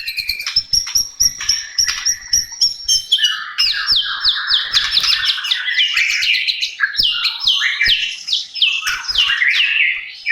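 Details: White-rumped shama song used to prompt a silent bird to sing: loud, rich run of varied whistles, slurred sweeps and rapid trills, phrases tumbling one into the next with barely a pause, with soft low clicks early on.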